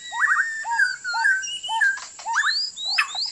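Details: White-rumped shama decoy song for trapping: clear fluty whistles, short hooked notes repeated about twice a second alongside longer level and rising whistles, some very high, over a steady faint whine.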